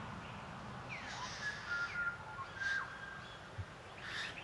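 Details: A male Western Bowerbird in arid rocky ranges near Alice Springs, performing at his bower as a female approaches, gives sliding, whistled strokes mixed with a few harsh, hissing bursts, spaced irregularly over a few seconds, against a faint outdoor hum.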